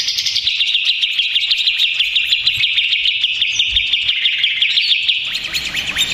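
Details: Agitated Greater green leafbird song, used as a lure to make other birds respond: an unbroken, fast, buzzy high warble of quick repeated notes, steady in pitch throughout, ending with a few rising slurs.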